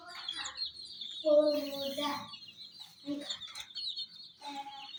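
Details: Hen chicks playing near toy jeeps keep up rapid high-pitched peeping, with a few lower, fuller calls breaking through the steady chick chatter.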